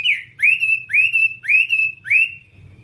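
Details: Whambie singing a tutor phrase: four clear whistles in a row, each rising sharply then held level, spaced about half a second apart, with a faint hum beneath.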